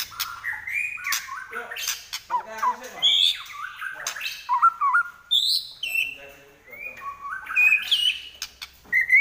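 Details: White-rumped shama in fighting song: a varied run of whistled slurs and rising notes jumping between low and high pitch, with quick chattering phrases, loud and continuous throughout.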